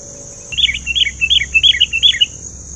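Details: Sooty-headed bulbul (kutilang) singing a lively run of short bubbly, chirping phrases that begin after half a second and repeat quickly, each note dipping in pitch, over a steady high insect drone.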